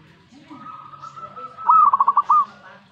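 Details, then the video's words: Zebra dove stirred by a master recording. A long faint steady whistle leads into one loud phrase of six quick pulsed coos and a sustained final note. "Langsung reaksi buat masteran perkutut"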